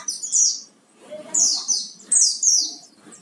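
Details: Lure recording of an Oriental white-eye in vigorous full song to provoke singing: three bursts of high, sweet twittering, each of two or three quick descending chirps, separated by short pauses.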